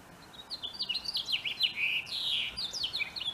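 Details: A male house finch sings in spring mating season: a fast, rambling warble of high, sweet notes that slide up and down and run together without pause.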